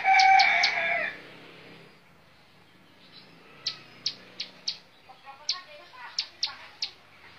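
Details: Bar-winged prinia in montal mantul bouncing song: a loud, harsh burst at the start, a quiet spell, then a string of crisp high chip notes repeated about every third of a second.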